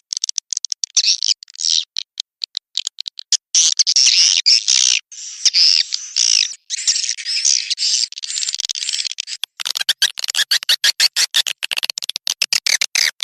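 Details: Sandro calling sound for attracting swiftlets to a nesting house: rapid clicking pulses leading into longer harsh buzzy chirps, then a fast regular train of clicks and twitters.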